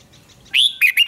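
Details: Red-whiskered bulbul in a singing duel, a bird stirred into fiery competitive song: after a near-silent start, one short, bright, whistled phrase breaks in, then two quicker warbled notes follow.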